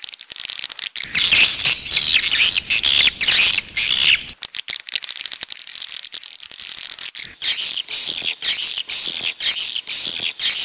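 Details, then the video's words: Edible-nest swiftlet 'jaguar'-style calling: a dense, high, buzzy twittering stream broken by short gaps and scattered clicks, steady and loud throughout. "SUARA WALET jaguar BURUNG WALET"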